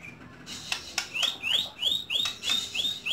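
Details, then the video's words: White-rumped shama kept at home repeating clear high upslurred whistles about twice a second, each a quick rising note, over a quiet background. "Bakat Terpendam Murai Rumahan"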